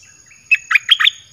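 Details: Caged red-whiskered bulbul singing a 'dok taeng' style song, played to lure wild birds: four quick bubbly whistled notes, rising and falling, in a short phrase lasting about half a second, with a faint steady tone behind.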